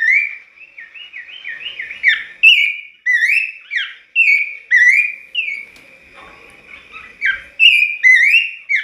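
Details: Abbott's babbler (bush babbler) that sings every dawn, used as a lure for other babblers, gives clear, slurred whistles rising and falling in quick short phrases.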